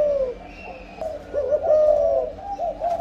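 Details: Spotted dove cooing âm lối while breeding: warbling, quavering low notes flowing into a long steady coo, followed by short rising notes, nearly continuous across three seconds.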